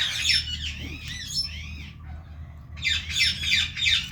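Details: Indian ringneck parrot chattering loudly in fast, harsh, squawky notes, about three per second, with a brief quieter pause midway before the dense chatter resumes, over a low background hum.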